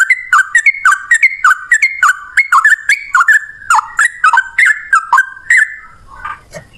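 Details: Yellow-vented bulbul delivering a long breathless run of fluty, slurred whistles, each note falling then rising, about two per second, ending with a soft rustle.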